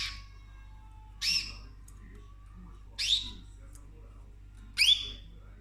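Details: Cockatoo feeding on orchid flowers at home utters three loud, rasping, downward-sweeping screeches roughly two seconds apart against a faint background hum.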